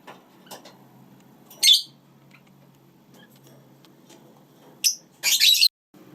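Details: Lineolated parakeets (Bolborhynchus lineola), kept as pets with their chicks indoors, give three short, harsh, high squawking bursts, the last a rapid chattering run, over a faint indoor hum.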